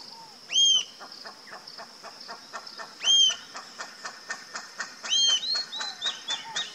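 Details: Rufous-tailed jacamar giving loud, sharp arched whistles about every two seconds, while a rhythmic series of dry clicking pulses and a shrill insect drone run beneath.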